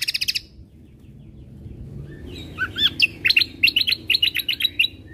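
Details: Cucak kombo (greater green leafbird) singing full tembakan fill as training material for caged birds. A brief buzzy chatter, a quiet gap, then slurred whistles and a rapid string of paired high chips.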